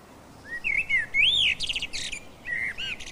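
A common blackbird sings mellow, fluted whistles that slur up and down, each phrase ending in a brief, higher, scratchy twitter.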